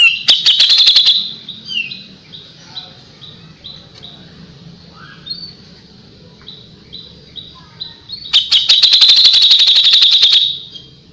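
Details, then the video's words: Kapas tembak in full song, used as tutor audio for white-rumped shamas: loud rapid trills of sharp repeated notes open and close the passage, with softer short whistled notes repeated steadily between them. "KAPAS TEMBAK GACOR JEDA RAPET"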